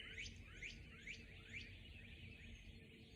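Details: Dawn chorus birdsong recorded on 3/12/2021: quick upward-sweeping whistled notes repeat about twice a second. Four are clear, then they fade into softer, overlapping echoes of the same phrase, over a steady low rumble.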